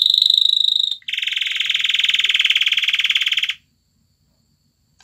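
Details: Male canary wooing a female to mate, a short high whistled roll, then a long, loud, buzzy trill of rapidly pulsed notes lasting over two seconds, followed by silence.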